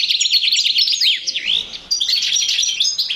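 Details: Male European goldfinch, paired with a female canary in 2012, gives quick repeated swooping chirps followed by a bright jumble of high twitters and short trills.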